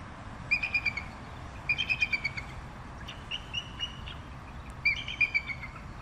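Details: Bald eagle chattering with quick runs of three or four clipped, piping notes, the runs repeated several times with brief gaps between them.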